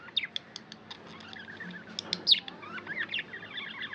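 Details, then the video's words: Pet budgerigars chirping, a flock of tamed birds: busy high chattering with short sharp clicks and rising and falling warbled notes, one loud upswept squeak near the middle. "Budgie chirping sound"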